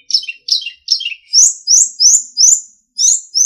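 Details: Captive-bird training recording of a sulingan: three rough falling chirps, then a regular series of bright, high, rising whistled phrases given about three times a second.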